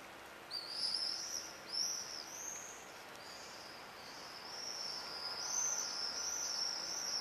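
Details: Several common swifts checking nest boxes at Leuven on 4 July 2015, heard from indoors: repeated thin, high, drawn-out screeches in quick succession, some sharper near the start, fading into a continuous shrill chorus.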